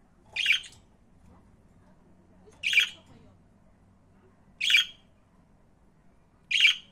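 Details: Budgerigar repeating a harsh, broadband squawk four times, roughly every two seconds, with near silence between calls.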